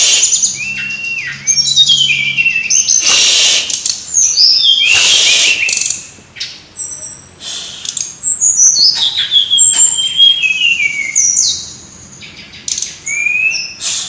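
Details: Extended brown-chested jungle flycatcher singing from a lure recording: strings of high whistles and falling slurs, sometimes stacked like several birds, broken by loud rustling bursts and brief quieter gaps.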